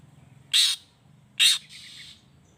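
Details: Long-tailed shrike uttering two abrupt, grating squawks less than a second apart. A fainter hiss trails the second one. The calls are used to incite other shrikes to respond, over low background hum.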